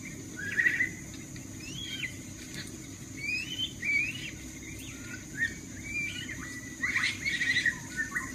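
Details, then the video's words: Oriental magpie-robin singing varied clear whistles, with rising and falling sweeps and quick chattery bursts in short separate phrases, over a steady high hiss and low rumble; used as a lure to provoke a kept magpie-robin to answer. "PANCINGAN KACER LANGSUNG NYAUT DENGAR SUARA BURUNG BEBUYUTAN INI"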